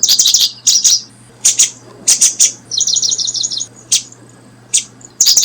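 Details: Paddyfield pipit, brooding: scattered sharp high chirps, then a short even rattling trill of rapid pulses lasting under a second, followed by more isolated chirps; low hum in the background.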